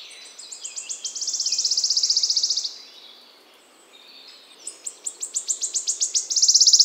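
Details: Wood warbler in spring in the Czech Republic, Central Europe: a loud song of dry ticks that speed up into a bright shivering trill lasting about two seconds. A short pause follows, then a second accelerating run of ticks building to another trill.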